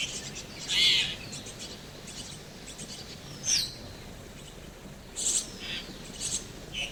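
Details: Chestnut-tailed starling chicks in a tree hollow nest, raised by their parents, give short, high, harsh begging squeaks in scattered bursts every second or two over a soft rural hiss; finding: Chestnut-tailed starling.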